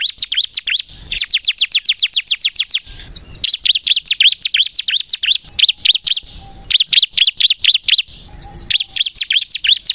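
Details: Bar-winged prinia, crystal type, singing vigorously in a full rapid song used as a lure to get other prinias to sing: fast runs of sharp descending high notes, then trilled phrases, with short pauses between bursts.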